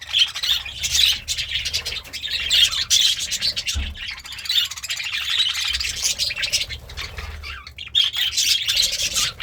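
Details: Happy pet budgie chirping and singing over greens: extended rapid chatter of buzzy squeaks, whistled flicks and scratchy trills, almost without pause.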